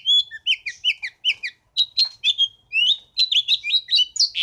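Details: House finch singing a lively, rambling warble: quick runs of short, high, sweeping notes, many slurred downward, delivered in tight bursts with brief pauses, then a denser jumbled stretch to the end; no other sounds.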